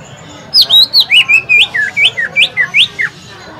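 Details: Green leafbird singing at a bird-song practice contest at Lapangan Semparuk to provoke other birds into song: about twelve loud, clear whistled notes in rapid succession, mixing rising and falling slurs, lasting roughly three seconds against a quiet background.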